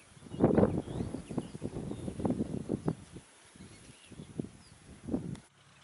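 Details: A Great Egret at Westbroek, Netherlands, on 29 April 2019 gives a run of low, harsh, guttural croaks for about three seconds, then a few scattered rasping notes with quiet pauses between.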